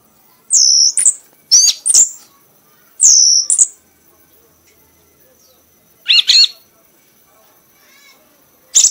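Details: Prize-winning red-whiskered bulbul singing in a frenzied, exhausting bout: sharp high whistled notes and swooping slurs in short bursts, with pauses of about two seconds between phrases and quiet in between.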